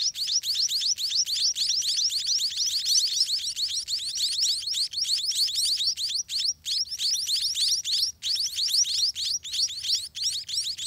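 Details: Growing scaly-breasted munia chicks, eating more often, beg nonstop in their nest: a dense, continuous chatter of sharp high rising chirps, barely pausing for eleven seconds.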